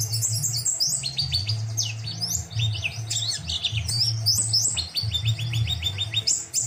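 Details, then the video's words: Lively white-eye song used as a tutor recording for other birds: rapid high chirping and twittering phrases in dense bursts, with short repeated trill series, over a steady low hum throughout. "Pleci Gacor !!! Burung Master kecil cabe rawit"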